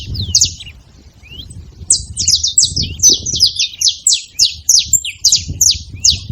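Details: Saffron finches clamouring at a bait site: after a quieter start, a rapid run of sharp, high, downslurred chirps from several birds, roughly four or five per second, over a soft low-frequency background.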